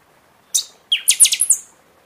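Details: {'caption': 'Buffy-fronted seedeater during the singing season, song used to stimulate caged birds after the moult: one sharp high note, then a quick ringing series of about six shrill metallic notes ending in a higher slurred tone.'}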